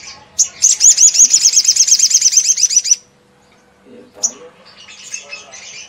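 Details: Sogon song used to rouse other sogon birds into singing; a long, fast, regular trill of high looping notes lasting about three seconds, followed by quiet and a few scattered chirps.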